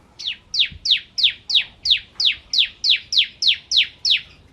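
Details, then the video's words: Bar-winged prinia singing in the active "ciblek kristal" style, recorded as a training song for oriental magpie-robins. Clear, loud, sharply descending whistled notes sweep from high to low, repeated steadily about three times a second in an even series of twelve. "Masteran Ciblek Kristal Gacor"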